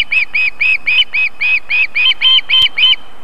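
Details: Female osprey feeding her chicks at a nest in Võrumaa, South Estonia, on 31 July 2021 at 19:51, near a fish farm and river; a rapid run of about twelve sharp, piping whistled notes, evenly repeated and slightly rising in intensity.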